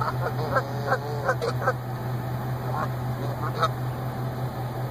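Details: Goose, a mated pair reuniting in a parking lot at their yearly nesting site after the female returned from a week in hospital for suspected lead poisoning. Short nasal honks come in quick bursts during the first two seconds and again near three to four seconds, over a steady low hum.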